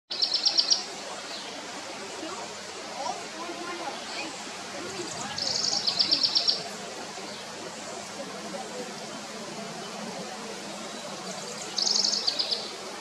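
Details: House wren singing at San Diego National Wildlife Refuge, 26 May 2023: three short, high, rattling trills about six seconds apart over steady background hiss.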